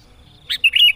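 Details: Sooty-headed bulbul song used as a lure for trapping and for drawing in rivals; a brief burst of bright, bubbly whistled notes in the second half, after near silence with a faint high tone.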